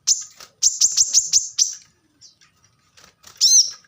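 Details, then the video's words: Plain-throated sunbird, called kolibri kelapa, singing a training song for cage birds. A burst of quick, high, sharp notes is followed by scattered soft chips and one final bright, squeaky phrase. "kolibri kelapa | manggar | wiceh | korlap gacor tembakan rapat"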